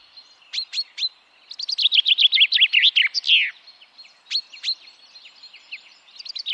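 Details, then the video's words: A common chaffinch in a Finnish forest in spring, already back by March, sings a bright, accelerating run of sweet notes ending in a downward flourish, with a few separate chirps, amid wind noise. "Pientä peippoa voi olla vaikea nähdä luonnossa mutta se on todella helppoa tunnistaa äänen perusteella. Kuuntelekin seuraavaksi metsässä liikkuessasi tätä ääntä: (linnun laulua)"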